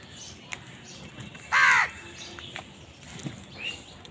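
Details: Crows fighting over food: one loud, harsh, hoarse caw lasting under half a second, set against quiet outdoor background with a few faint clicks and distant chirps.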